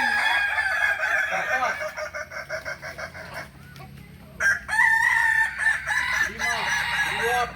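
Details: Kukuak Balenggek roosters crowing at a May 2024 contest in Ampang Kualo, Solok city; a chain of short pulsed syllables breaks off, then a fresh drawn-out harmonic crow rises, with other crows overlapping.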